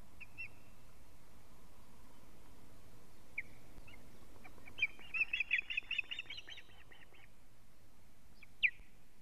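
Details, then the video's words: Osprey alarm calling at a Latvian nest camera, 19 July 2017 at 19:43, as the male brings a living fish; scattered high whistled notes, then a quick burst of sharp repeated cheeps mid-recording, with steady background hiss. "Teo brings a living fish- alarm calling"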